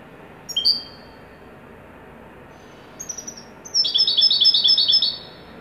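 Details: Moroccan Wedani goldfinch: a couple of separate high, thin call notes, a pause, a few soft chirps, then a lively burst of fast, bright twittering trills for over a second.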